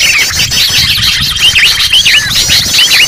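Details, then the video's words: Noisy sooty-headed bulbul lure sound: a busy tangle of quick bright chirps and short down-slurred whistles that overlap almost without pause, as though several birds are calling together. "Suara pikat burung kutilang ribut"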